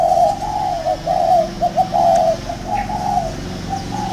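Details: Spotted dove in a round decoy cage calling almost continuously: a run of quick, soft coos followed by longer, level, mellow notes, with a low background hum throughout.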